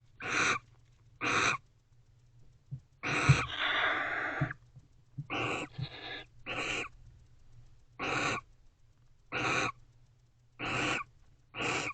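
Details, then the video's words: Barn owl pair in a nest box at 11:57 pm on 19 November 2023, sharing affection with happy twittering: harsh broadband bursts about once a second, with a longer rasping stretch near three seconds and a low hum throughout. "Barn Owls #AvaAndBeau Expressing Affection, Varying Vocalizations."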